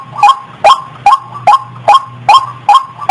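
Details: Brief run of about eight hard, nasal croaks from a breeding female white-breasted waterhen ready to mate, evenly timed around two and a half per second, loud and near.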